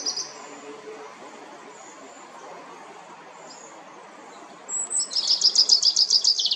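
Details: Common chaffinch song at La Perle du Lac, Geneva, Switzerland, used for territorial defence and mate attraction: after about five seconds of quiet background with faint distant calls, a loud, quick run of repeated high notes begins.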